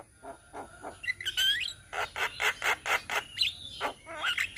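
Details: Several Javan mynas singing together in Indonesia, tutor recording: sharp clicks, then a rising slurred whistle, followed by a regular run of raspy chattered notes and another drawn whistle near the end.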